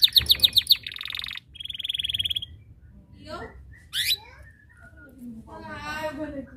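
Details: Vigorously singing canary calling rivals to join in: rapid pulsed trills, a buzzy rattling roll and a steady whistled tone, then a sharp rising chirp and a fluttering warbled phrase.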